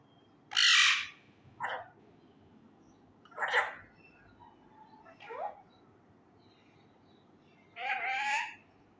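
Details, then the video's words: Indoor male Indian ringneck parakeet, still untrained, repeating phrases such as 'kia howa' and 'kia hogaya': five hoarse, speech-like bursts of varying length spread over nine seconds, one ending in a rising, tonal slur. "MY Talking Raw Male parrot try to learn words loudly (kia bol rha ho me,kia howa,kia hogaya,Mithu he"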